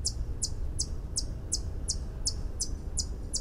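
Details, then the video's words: White-eared hummingbird giving a regular string of short, bright, very high chips, nearly three per second, against a deep continuous rumble. "Song of the White eared Hummingbird (Canto del orecchiuto bianco Uccello di ronzio)"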